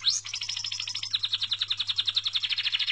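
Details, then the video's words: A little songbird delivers a rapid, rattling trill after one sharp rising note, the pulses coming very fast and steady, with a faint low electrical hum beneath. "Vean como canta de hermoso este pajarito"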